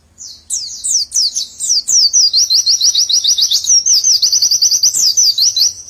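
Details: White-eye (pleci) in the 'nembak rapet' style: several loud descending whistles, then a close-packed, fast series of high chips strung together continuously to the end.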